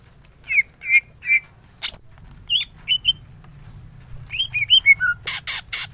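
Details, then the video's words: Greater green leafbird in full ngentrok song. Three clear buzzy whistles come first, then scattered sharp notes, then a quickening run of chirps and descending slurs that ends in three harsh broadband bursts. A low hum is constant. "Cucak ijo gacor full tembakan ngentrok"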